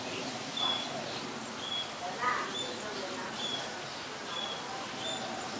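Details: Scaly-breasted munia, Ubon Ratchathani, Thailand, 26 March 2022: a series of short, high, piping whistles spaced about a second apart, with one lower chirp from another bird midway and constant outdoor hiss.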